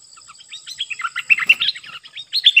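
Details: Stripe-throated bulbul singing in April 2021 as wild birds approach a caged bird without landing; a dense, jumbled run of warbled chirps rising and falling, with a faint high steady whine in the background.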